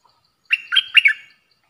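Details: Lure song of a stripe-throated bulbul for trapping: one rich, gurgling phrase of three or four fluty notes that swing up and down, tailing off into a soft warble.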